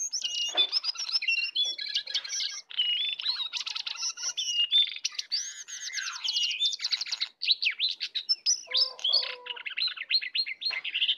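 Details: Wild and caged sooty-headed bulbuls in a heated song contest, full song; continuous busy chattering with sharp whistled slurs and rapid chirp runs, brief gaps only at two points.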